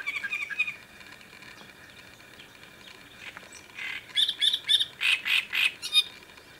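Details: On the Sviyaga River bank, 25.05.2017, a great reed warbler gives a few scratchy notes, falls quiet for about three seconds, then bursts into a loud run of rhythmic, grating, croaky syllables delivered several per second.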